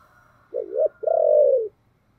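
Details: Spotted dove cooing in the thổ voice style, urging and calling: a low wavering double note followed by a longer, steady coo that slowly falls at the end.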